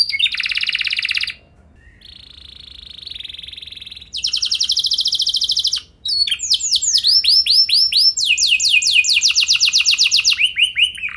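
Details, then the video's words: Lure song of a canary for triggering other canaries, 'lagu mewah' style: a bright trill, a quiet gap, two lower buzzy trills, then looping swooped notes and a fast, rolling high trill. "Langsung Nyaut Gacor Dor Kenari Mana Saja Dengan Pancingan Kenari Lagu Mewah Ini"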